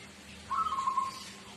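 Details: Local Tuban zebra dove (perkutut, Geopelia striata) kept as a lure bird gives its song: a soft, mellow cooing phrase of quick, slightly wavering notes lasting under a second, over a faint steady background hum.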